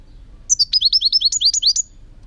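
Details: European goldfinch song recorded in 2018: a rapid run of about a dozen bright, high, slurred twittering notes delivered in one quick burst, clear against a quiet background with faint low hum.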